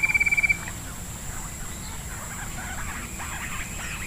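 A bush quail gives a quick burst of about eight sharp, high notes within half a second, followed by faint chatter of other birds over a steady hiss.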